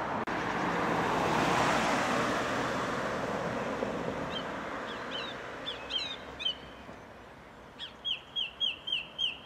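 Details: Song thrush singing in a tree. The first seconds hold broad wind-like rumble. Short whistled phrases follow, ending in a bright sharp note repeated about five times in quick, even succession.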